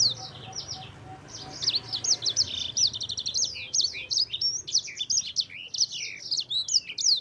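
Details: Actively singing yellow-fronted canary (sanger) delivering a long rolling song meant to coax other birds into song: dense run of sweet high whistles and fast trills, rising and falling, with a soft low hum beneath.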